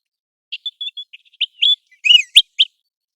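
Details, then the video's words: American golden plover calling: a run of brief, high whistled notes, a few short chips at first, then louder downslurred whistles near the end, with clear silence between them. "American Golden Plover Call | American Golden Plover Sound"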